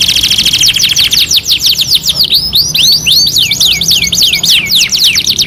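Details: Canary singing in masteran style, two in one: a brief rapid trill gives way to quick, arching whistled sweeps that pour out densely, about three notes a second, ringing and high.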